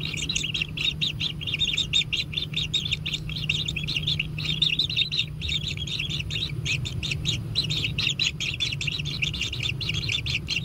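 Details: Nestling kingfishers in a natural nest clamour as they are fed: a continuous stream of sharp, high-pitched chirps, densely packed and overlapping, over a constant low background hum.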